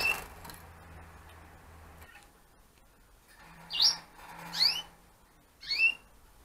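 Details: Gloster canary breeding pairs for 2015, a crested and consort breed: after a quiet stretch, three sharp upward-swept chirps ring out about a second apart, high and clear, with a soft steady hum beneath.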